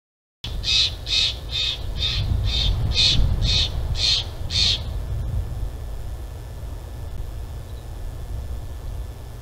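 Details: Bald eagle at a nest in Big Bear Valley, recorded by a live nature cam on 15 February 2023 at 09:34. A rapid series of about eight high, piping chattering notes lasts four seconds over a constant low wind rumble.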